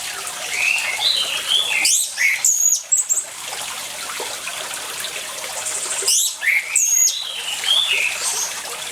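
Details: Orange-headed thrush singing beside running water, a lure recording for silent birds: rich whistled phrases with sharp, loud, varied notes in two clusters, the water hiss underneath throughout.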